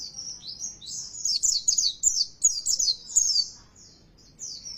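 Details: Oriental white-eye lure song meant to spur caged birds into loud, persistent singing: dense high twittering with rapid downward-sweeping notes, building to a busy run in the middle, then fading to a short final phrase.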